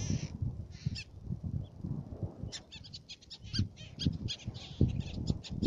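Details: Black-naped tern on Fares, Baa Atoll, Maldives: after a few brief early notes, a dense series of short, harsh, high calls from about halfway on, over a steady low rumble of wind.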